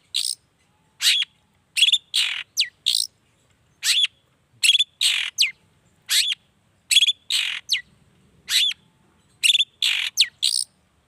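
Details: Lively long-tailed shrike song meant to provoke other shrikes into answering; clusters of rasping notes and quick upslurred whistles come in brisk groups of two or three, with short pauses between, over silence.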